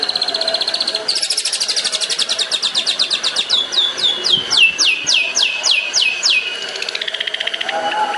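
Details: Long-tailed shrike song in the 'tembakan' style, used as a master recording for training songbirds: a rapid run of sharp, descending high whistles, several per second, sliding lower toward the end.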